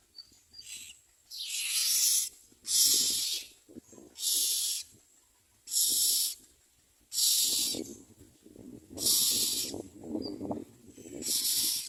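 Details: Myna nestlings being fed and begging insistently: loud, harsh, hissing screeches in regular bursts about every one and a half seconds, with low scratching and movement sounds between them.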